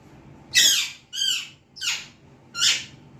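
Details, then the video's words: Pet Alexandrine parakeet indoors in a small room, starting to talk: four loud, harsh, harmonic squawking syllables spaced about every half second to second, each bright and falling in pitch. "Chiku bolne laga"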